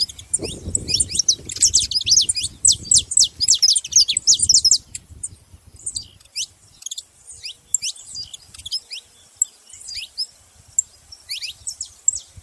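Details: Saffron finch (canário da terra) delivering a long stream of thin, high chirps, densest in the first five seconds, then looser, scattered notes; low rumble early on fades away.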